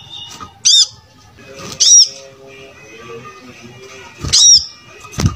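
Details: Brown-throated sunbird in active song, used as a model to train other birds: loud arched high notes about once a second, separated by quiet stretches with faint lower tones.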